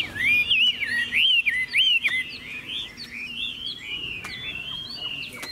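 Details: Chinese hwamei singing as a cage bird: rich, warbling whistles that swoop up and down, loud at first, then softer and more drawn out with faint clicks.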